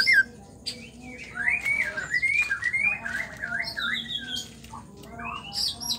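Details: Female white-rumped shama song meant to make male birds sing; wavering whistled notes rising and falling in a continuous line, scattered chips and a few higher whistles, softer toward the end over low background hum.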